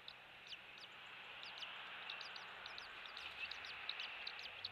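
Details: High, piping chitter from an eagle at its Captiva nest in Florida, recorded by a nest cam on a January 2023 morning; quick sharp notes in a loose run over steady background hiss.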